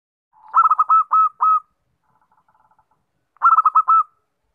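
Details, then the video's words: Lure call of a zebra dove, two bursts of quick staccato cooing notes, each phrase of several fast pulses closing with a held coo, separated by a soft faint cooing pause. "PERKUTUT SUARA PIKAT (AMPUH)"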